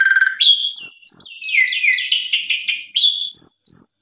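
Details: Asian pied starling singing a lure meant to trigger song in other starlings: a low whistle rising into sustained high tones, with a cascade of rapid slurred notes in the middle.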